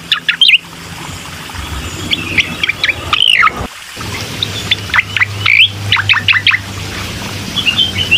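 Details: Bar-winged prinia song used as a lure to prompt a reluctant bird to sing: short, high, sharply bending chirps in scattered bursts, with a quiet pause near the middle and a steady low hum underneath.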